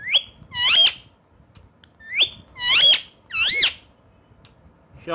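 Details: Pet parrot talking in Urdu/Hindi indoors: three loud bursts of harmonic, wavering, nasal voice-like phrases with bending pitch, separated by short pauses, then a new burst starting at the end.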